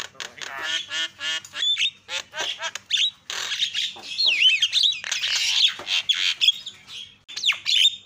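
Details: Javan myna calls used to provoke other mynas into calling: a busy run of harsh squawks, chattering bursts and short whistled notes, mostly high-pitched, tumbling irregularly for eight seconds with brief gaps.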